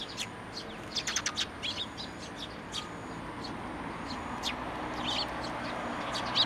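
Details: Several sparrows collecting at a feeding spot on a shrine handrail, recorded 29 June 2023, utter quick bright chirps in bursts, busiest early on, against constant low broadband noise.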